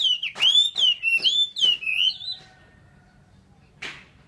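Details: Chinese hwamei delivering a loud, clear whistled phrase of wavering rising and falling notes repeated about five times over two seconds, then quiet with a short burst near the end.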